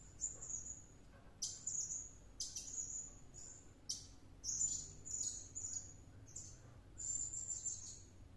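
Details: Serindit, a blue-crowned hanging parrot, singing hard after luring: sharp high squeaks leading into thin sustained whistles, delivered in irregular bursts with brief pauses.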